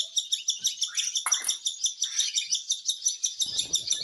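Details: Cockatiel being hand-fed: rapid, rhythmic, high buzzy begging pulses, about three per second and fairly regular, with a brief lower scraping note near the middle and a soft rustle at the end.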